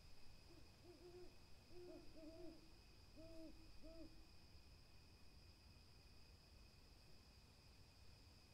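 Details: Owl giving low, soft, arched hoots, about six notes grouped in pairs over three seconds, then falling silent; faint steady hiss and a thin high tone throughout.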